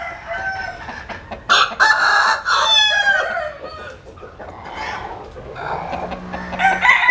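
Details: Among roosters basking in the sun, one gives a loud, ragged crow of nearly two seconds ending in a wavering fall. Background clucking continues, and another crow starts at the end.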